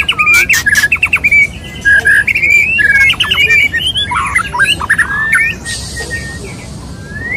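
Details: Male white-rumped shama courting a female; loud rhythmic burst of clicks and whistled chips, then rich warbled phrases fading into a soft hiss and a lone rising whistle.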